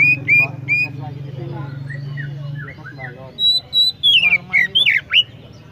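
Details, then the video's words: Oriental magpie-robin, known locally as kacer, singing: a few clear upslurred whistles early on, then a quick run of high, looping whistled phrases near the end, with a man talking over the first half. "chirping sound magpie Robin"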